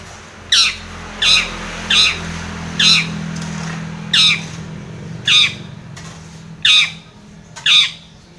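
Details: Long-tailed shrike provoking a rival, used to make another shrike sing: eight loud, grating squawks spaced about one second apart, each a harsh descending rasp, with a low engine-like hum behind.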